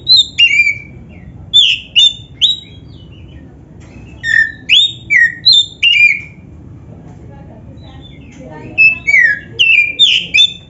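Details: Oriental magpie-robin of the black-breasted form (kacer dada hitam) in full, energetic song meant as training and bait for other kacer: bursts of sweet, sliding whistles and sharp upslurred notes in rapid runs, separated by short silences, over faint low rumble.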